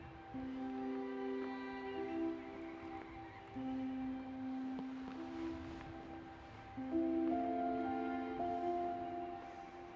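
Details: Calm instrumental music with long sustained tones and layered chords; no animal sound is heard.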